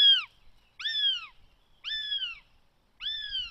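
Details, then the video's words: Northern goshawk chick (third chick) begging at a nest in the Netherlands on 20 June 2020, giving four thin, whining, down-slurred squeals, about one a second, each starting high and sliding lower. "Goshawk ~ Chick 3 Begging"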